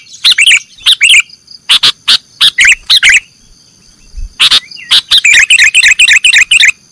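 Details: Nggaruda-style song of a sooty-headed bulbul, meant as a master track for training cage birds. Paired chattering bursts and clipped chirps lead into a fast, even run of repeated twisting notes near the end.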